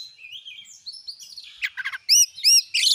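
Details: Oriental magpie-robin in full song, used to provoke other magpie-robins into singing: soft warbled phrases give way to loud, ringing arched whistles repeated in quick succession, ending in a burst of harsh notes.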